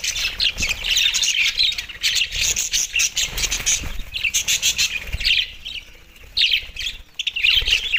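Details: Group of Australian budgies chattering over soft food, dated 4 December 2023; dense, continuous high twitter and warble with brief pauses, plus faint flutters and feeding noises.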